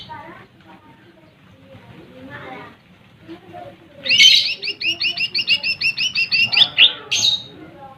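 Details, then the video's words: Lesser green leafbird song aimed at provoking rival birds: after faint mixed bird chatter, a fast run of a dozen or more bright, ringing chirps ending in a sharp note. "SUARA Cucak Ijo Mini | Pancing Emosi Burung Lawan"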